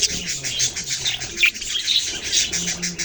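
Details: Baby budgerigars chirping, a dense, continuous chatter of high, rapid twittering notes overlapping one another, with brief sharper squeaks standing out; no other clear sounds.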